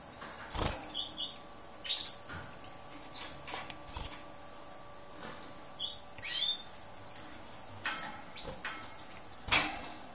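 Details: Lesser goldfinch of the subspecies hesperophila giving scattered short, high, thin notes, some slurred, spaced irregularly over ten seconds, with sharp dry clicks and taps between them and a faint steady hum underneath.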